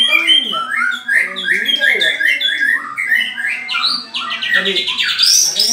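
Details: Mental test of white-rumped shamas, ringed versus MH: rich, fast song of bright whistled notes and rising slurs, with lower wavering tones underneath, building to a high buzzy, rattling flourish at the end.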